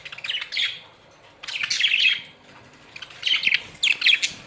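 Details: Australian budgerigars in a colony make bright, chirpy warbling phrases in three bouts, each a rapid run of squeaky, slurred notes lasting under a second, with brief pauses between.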